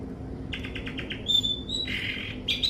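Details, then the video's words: Long-tailed shrike giving a quick rattle of short notes, then a thin steady whistle and a harsher buzzy phrase, over a soft low background hum. "Zoro si cendet sakti"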